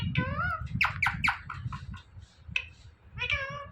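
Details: Indian ringneck parrot talking indoors, mimicking the word "mithu": harmonic, speech-like syllables, a wavering call at the start, then a quick burst of four sharp notes and another drawn-out call near the end, over low room rumble.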